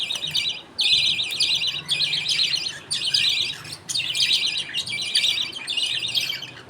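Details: Pet budgies in a colony during feeding, the father passing millet paste to two young while other birds wait their turn; busy, scratchy, high-pitched chirping runs in repeated bursts with short gaps.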